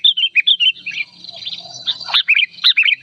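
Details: Old sooty-headed bulbul in an agitated, loud and clear song: short bubbly whistled phrases, dipping and rising, repeated in quick bursts with brief pauses, faint chatter of other birds beneath.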